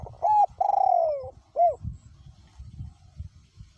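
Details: One clean coo phrase from a spotted dove decoy bird with a small-to-middle voice, recorded in strong wind: a short clipped note, a long falling coo, then a brief arched note, followed by soft wind rumble.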